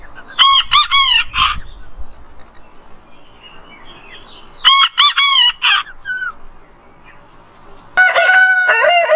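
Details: Rooster crowing in the morning, a harmonic cock-a-doodle-doo rising then falling, heard three times: a broken crow near the start, another in the middle and a longer, steadier one at the end, with quiet gaps between.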